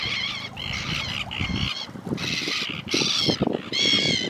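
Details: Flying steamer duck (Tachyeres patachonicus) gives loud, harsh, nasal honking calls in bursts of about a second, repeated several times, with low rumbling background noise.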